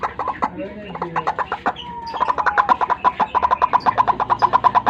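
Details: White-breasted waterhen lure recording for morning trapping: a dense, fast run of harsh, nasal strokes repeated several times per second, rising in loudness toward the end, with other mixed chatter underneath.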